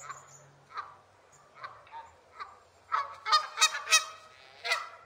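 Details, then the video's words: Canada goose calls: spaced single honks at first, then a loud, rapid burst of harsh, nasal honks close together, ending with one more strong honk. "Canada Goose Sounds"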